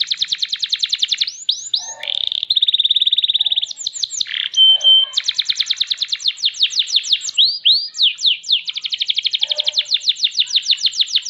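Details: Champion canary in full song, fast repeated downward-slurred whistles forming long trills, a steady buzzing tone around the second second, then more rolling trills and curved notes.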